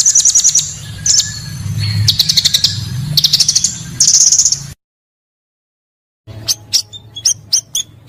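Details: Pancawarna bird used as a lure call, giving rapid strings of high, thin chirps in repeated phrases, with a break of silence before sharper clipped notes resume over a low background hum.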